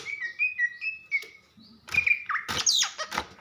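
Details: Female greater green leafbird from Banyuwangi calling to stir a male: quick, wavering whistled notes at first, then noisy bursts and clicks mixed with twisting slurred whistles.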